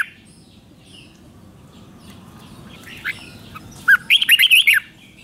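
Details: Red-whiskered bulbul in Thailand, a caged song bird, singing a five-syllable phrase with doubled notes meant for young birds to learn; after quiet hiss a brief rising note leads into a rapid string of five bright, warbling syllables lasting under a second.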